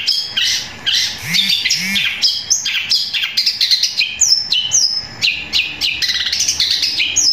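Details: Long-tailed shrike in loud, long, powerful song: dense scratchy chatter, sharp whistled downslurs and buzzy trills in rapid succession, broken by two soft low hooting notes early on, then more high clipped whistles.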